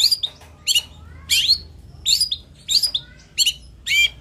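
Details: Long-tailed shrike, known as cendet or toed, sings short, bright, squeaky phrases of high twisting notes, about one burst every two-thirds of a second, with faint slurred whistles between.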